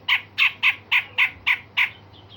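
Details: A cucak jenggot, or grey-cheeked bulbul, giving sharp rasping shots of the kind used to train other songbirds. Seven loud, harsh, evenly spaced notes repeat about every quarter second.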